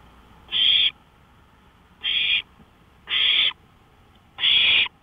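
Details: Nighttime owl on a porch, 1:53 AM, May 5, 2013, repeats loud rasping hisses four times, roughly 45 per minute, against a quiet backdrop.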